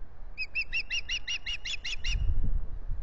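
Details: Wild female osprey begging at a lake nest in spring, April 2021, filmed by a nest camera: a series of ten clear, high, evenly spaced chirps about every fifth of a second, followed by low rumbling and knocking.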